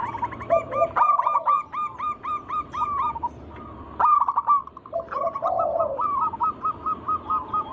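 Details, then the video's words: Local wild-type zebra dove singing energetically, played to lure other doves into song: runs of quick hooked coo notes repeated in bursts, several phrases with short pauses and lower rolling purrs between them. "Pancingan burung perkutut lokal alam gacor suara mengundang bunyi langsung emosi"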